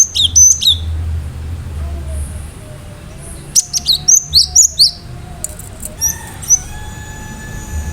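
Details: Gelatik batu, the cinereous tit, singing sharp piercing notes that are said to make listening birds respond. Quick, high whistled slurs come in clusters, followed by a faint sustained tone and a few final notes over a background hum.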